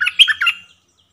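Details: Caged decoy streak-eared bulbul luring wild birds, uttering a short burst of three harsh, squawky chirps within under a second.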